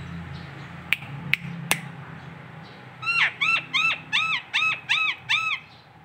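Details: Local Nias hill myna tutor recording: three sharp clicks, a short pause, then eight bright, arched, ringing notes repeated at a steady quick pace against a low background hum.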